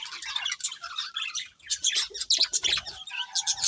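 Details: Budgerigar chirping: rapid scratchy warble with sharp high tweets and squeaky trills, a brief lull midway before the chatter resumes louder.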